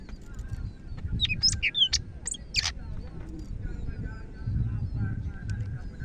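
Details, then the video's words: Greater green leafbird from Medan singing energetically: bursts of sharp, varied whistled and chattering notes in the first three seconds, then fainter high phrases over a constant low rumbling background noise. "BURUNG CAK IJO MEDAN GACOR"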